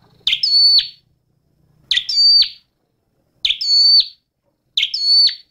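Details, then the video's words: Scarlet-backed flowerpecker, small red-headed wild songbird, repeats a bright, high, clipped phrase four times about every 1.5 seconds: a sharp downward flick, a thin sustained whistle, then an abrupt dip, clean quiet background. "Tiếng chim Sâu Đầu Đỏ hót chuẩn"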